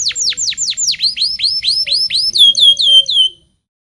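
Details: Local canary song used to teach young canaries to sing, a series of loud, evenly spaced downward-swooping whistled notes. About twelve repeats shift to shorter, flatter whistles before ending in silence.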